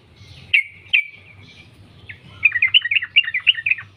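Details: Wild sooty-headed bulbul singing in the continuous rapid style called sambung ropel, used as a lure to make other bulbuls sing: two clear downslurred chirps, then a fast run of about a dozen bubbly, twittering notes. Low background rumble.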